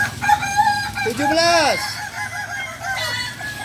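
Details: Kukuak balenggek rooster crowing at a Sunday practice meet in Ampang Kualo: a steady held note, then a loud arching swoop that bends down, followed by softer trailing segments, with crowd noise behind.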